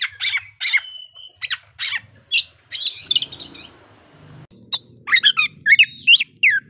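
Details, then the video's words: Oriental magpie-robin in fighting-mode song, aimed at provoking rival birds: repeated loud, harsh, scratchy bursts and short whistles, a brief lull, then a fast run of sharp notes, with a faint low hum behind. "pancingan kacer gacor tarung menaikan emosi kacer lawan"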